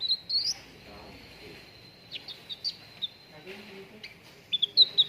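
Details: Cucak ranting singing for contest-bird training: soft, thin whistled notes and brief chirps spaced apart, with a quick cluster of sharp notes at the end.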